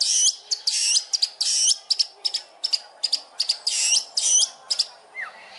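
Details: Long-tailed shrike (cendet) master song with rich fill phrases: loud buzzy, rasping bursts repeated in rapid series, with short sharp chips between them and a final low downslurred whistle.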